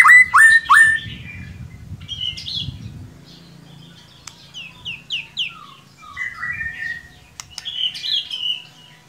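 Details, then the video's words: Lure song of a white-rumped shama to prompt a quiet bird into song: loud repeated chattering notes at the start, then varied descending whistled slurs and warbles over a low rumbling background. "Solusi murai ngiriwik kurang gacor cukup dengarkan suara pancingan ini pasti nyangut"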